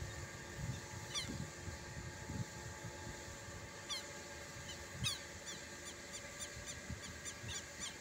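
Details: Southern lapwing on a farm, believed angry and likely guarding a nest nearby, gives harsh, scratchy high calls, singly at first, then in quick runs of two or three per second, over low wind rumble.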